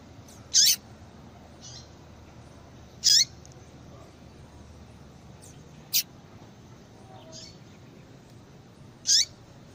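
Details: Yellow-bellied seedeater female giving a call to stimulate male singing: about five sharp high notes spread two to three seconds apart, interspersed with faint softer chirps, over background hiss.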